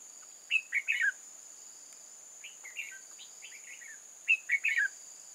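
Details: Red-whiskered bulbul used as a trap decoy, singing to lure wild bulbuls, recorded 8 October 2018: three bursts of quick, warbled, chirping notes, each about half a second, separated by pauses, over a steady high insect drone.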